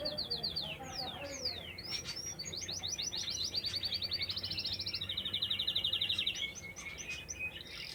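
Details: Canary singing in nature: swooping high slurs, then a chain of quick repeated trills at different pitches that end in a lower buzzy roll, followed by scattered chips.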